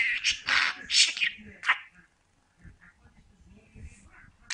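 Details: A talking pet budgerigar mimics human words in quick, chattering, speech-like syllables packed into the first two seconds, then falls mostly quiet with a few soft clicks and a final sharp chirp.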